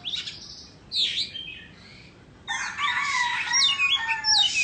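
White-rumped shama singing rich, varied phrases: sweet rising and falling whistles, a brief pause, then a dense run of fluty and scratchy notes.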